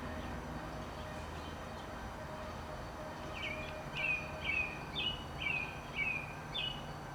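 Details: American Robins singing on 28 April 2019: after a few quiet seconds of rumbling background, a regular series of short, clear, down-slurred whistled phrases repeats about twice a second.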